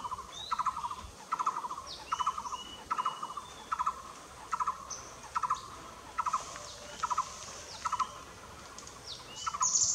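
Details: Repeated rolling barbet phrases from a Blue-throated barbet at Nam Nao, low pulsed note groups coming about once a second, while other birds add scattered high chirps and a squeaky burst near the end.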